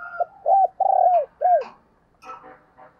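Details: Decoy spotted dove calling to lure wild doves. One mellow phrase of short coos and a drawn-out rolling coo is followed by clicks and soft chirps of other birds.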